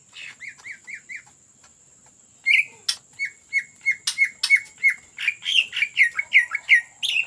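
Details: Greater green leafbird's ngetrok song, offered as a lure: four quick hooked whistles, a pause, then a long evenly paced series of short downslurred notes, about three a second, becoming louder and more varied.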